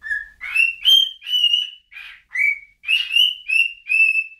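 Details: Clear whistled notes from a bird, each rising briefly and then held, repeated about twice a second in an even, bright sequence with nothing else audible.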